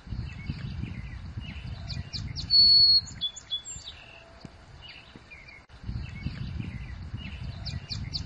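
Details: American tree sparrow singing on request in the village of St-Sixte, Petite-Nation, Outaouais (Ottawa region): high, sweet whistled notes and quick chips, with one bright sustained whistle midway; low rumbling noise underneath.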